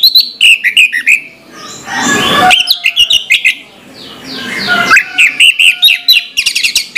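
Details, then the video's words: Morning song of an orange-headed thrush: rapid bursts of varied whistles and chattering notes, with a noisy rushing patch in between, then more fast warbled phrases. "suara anis merah plong pagi hari"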